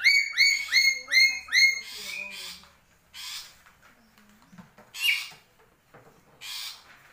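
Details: Black-capped lory from Papua opens with five loud, nasal squawks in a steady rhythm about three per second, then a pause and a few scattered harsh screeches.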